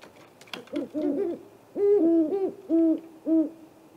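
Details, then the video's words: At night in April, a visiting pair of great horned owls calls at a great gray owl snag nest on a live nest camera: overlapping low hoots from two birds, a quick stuttered run then long even hoots. "Great Horned Owls at Great Gray Nest Apr 21"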